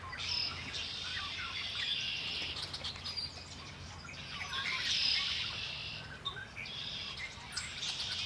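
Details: Birds singing beside Lake Erie in rapid, irregular chirping phrases that come in waves, with bright whistled notes over a steady outdoor hum.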